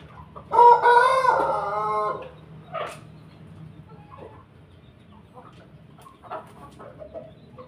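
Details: Rooster from a mixed group of Pelung, Bangkok and Ketawa chickens kept with a family flock, giving one loud, drawn-out harmonic crow lasting about a second and a half, followed by scattered soft clucks over low background hum.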